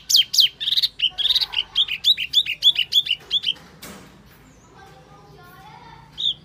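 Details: Wambi lure call for attracting birds: loud high warbled notes, then a quick series of short chirps, a brief noisy burst, and near silence before one last high note.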